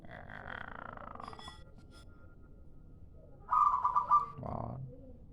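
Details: Lure call of a local zebra dove: one short, fast series of stuttered coos, followed by a lower, duller note, after a stretch of faint mixed background sound.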